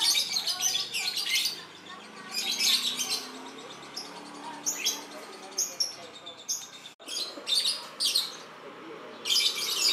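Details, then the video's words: Captive-bred lovebird in breeding condition, on heat, singing: bursts of harsh, high chattering and squeaky chirps in clusters about every two seconds, with brief quieter gaps between bursts. "Love Birds Voice When It Is On Heat"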